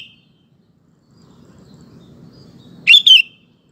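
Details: Lure recording of a sooty-headed bulbul singing steadily to prompt males to respond; a faint note tail opens, then after a pause a clear double-noted bubbly phrase over soft low rumble.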